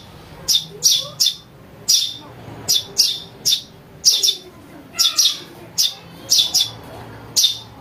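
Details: House sparrow chick calling, a sound used to lure birds: sharp, high chirps given in quick pairs and triplets, with short pauses between bursts and faint background noise.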